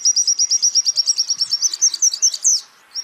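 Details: A champion white-eye, recorded to train songbirds, gives a long, fast, metronomic trill of piercing high notes that turns into a busier warble of mixed chirps before stopping, then one more note.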